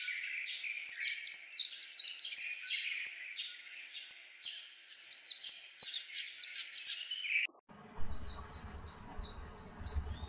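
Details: White-eye song in two fast phrases of high, falling twitters, then after a short break a third run over a low background rumble and hum.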